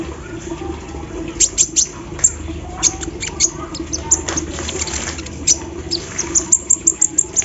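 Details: Energetic kolibri ninja sunbird in the morning dew, delivering embroidery-machine mimicry: scattered needle-sharp high chips building to a rapid, evenly spaced run of ticks at the end, with low hum beneath.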